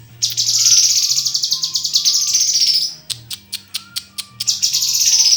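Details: Loud, fast buzzy chatter from a murai (white-rumped shama), about four pulses a second, followed by crisp clicking notes and a fresh burst of rattling song.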